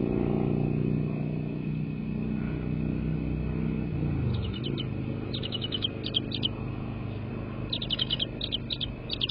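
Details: American bald eagle from a nesting-pair live camera, 22 February 2024 at 18:13: loud vehicle rumble fades, then strings of quick, high, piping chitter notes repeat in short groups.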